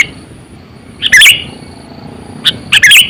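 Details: Sooty-headed bulbul lure bird, aged 8–9 years, with two short bursts of twangy, slurred chirps, the second bout slightly broken into quick notes, over soft background hiss.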